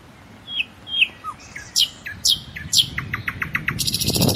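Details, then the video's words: Common nightingale singing: clear whistled notes and sharp downslurred phrases, then a fast run of repeated clicking notes that ends in a harsh buzzy rattle. "أجمل تغريد لطائر العندليب او طائر الحسنية"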